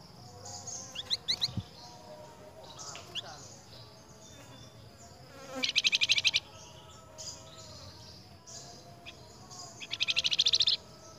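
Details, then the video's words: A flamboyan answering another flamboyan's call gives two bursts of rapid, very high buzzy trills, each under a second and about four seconds apart, between thin scattered chirps and faint background noise. "FLAMBOYAN NYAUT BUNYI DENGAN SUARA FLAMBOYAN LAIN"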